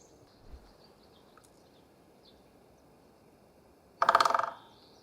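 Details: Great spotted woodpecker hammering a dry trunk: after four quiet seconds with faint distant bird notes, one sharp, rapid drum roll of about ten hard strokes runs for roughly half a second, then fades against a still forest background.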